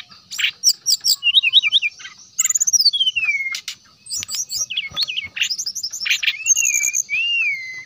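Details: Brown-chested jungle flycatcher in sustained lure song aimed at rival flycatchers: quick repeated high notes, long downward-sliding whistles, zigzag chatter, and clear falling whistles near the end.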